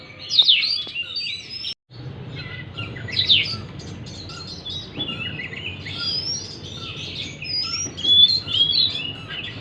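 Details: Oriental magpie-robin song played to encourage a stressed bird that has stopped singing: sharp slurred whistles and chips in bursts, a brief silent gap, then varied twittering phrases.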